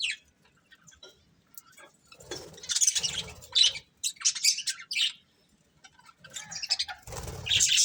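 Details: A budgerigar breeding pair kept as pets chatter in bursts of rasping, warbled high chirps separated by short pauses, with a low rustle at the end.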